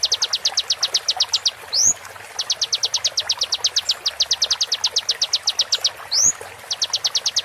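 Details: Konin song, from an original konin voice recording set slower as a mastering track for songbird training: a high, sharp trill of rapid, evenly spaced notes in bursts of about a second and a half, each broken by a quick upward-slurred whistle.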